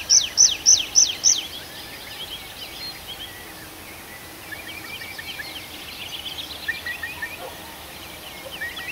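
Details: Forest birds at night in Arkhangelsk Oblast, June: five loud, sharp high notes in quick even succession open the passage, then only faint distant chirps and soft twittering continue over a hiss.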